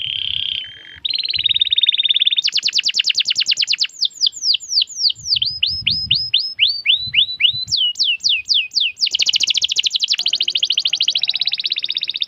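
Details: Canary in full, vigorous song with long rolling trills, meant for stimulating birds that have stopped singing: rapid repeated buzzy notes forming steady trills, a run of fast sweeping descending notes, then another dense, even trill.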